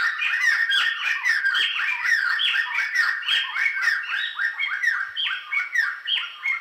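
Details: Black-hooded laughingthrush in a dense, chattering song of overlapping whistled and scratchy notes, many of them rising and falling, tumbling rapidly without pause.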